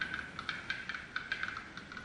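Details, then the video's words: In April in the Greater Khingan Mountains, after the long winter, a male black-billed capercaillie gives a run of dry, hard clicks, knocking irregularly several times a second like tapping keys, singing to attract a mate. "This male capercaillie is singing to attract a spouse"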